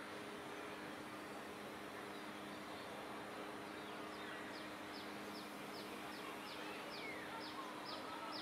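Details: Pallas's grasshopper warbler (rusty-rumped warbler), an uncommon winter migrant in Singapore, sings while perched and preening before departing: a fast series of short, high, down-slurred notes, about three a second, over a steady traffic-like hiss.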